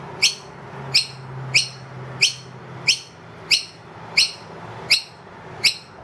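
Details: Noisy miner, wild, brought two young indoors and demands food loudly because the feeder is empty; loud sharp upslurred chirps repeated roughly every 0.65 seconds, with a low hum beneath.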